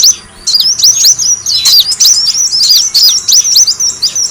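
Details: Sunbird called kolibri wulung, in a lure recording meant to draw birds in: an almost unbroken series of shrill, rapid chirps and zigzagging high notes after a brief quiet start.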